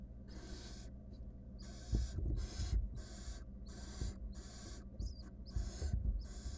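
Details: Wild barn owls at a monitored research nest box, where the female is involved in a clash with her mate or an intruder; harsh, breathy hissing bursts repeat roughly every half second over low thumps and rustling.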